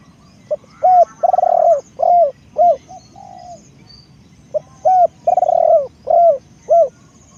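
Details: Spotted dove decoy bird giving two full cooing phrases, each of hooked rising notes, a long rolling coo and falling coos, with faint high bird chirps behind.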